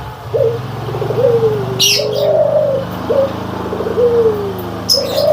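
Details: Barbary doves, white and brown, cooing: short rising notes leading into long, smooth falling coos, with bursts of high chirping from small birds and a low background hum.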